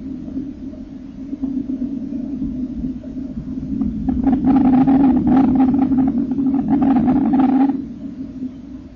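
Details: Common kingfisher chicks in the nest on 30 April 2014 while being fed, their eyes opening and first feather sheaths falling away; a low droning purr swells to a loud buzzing chorus with rapid scratchy bursts, then fades.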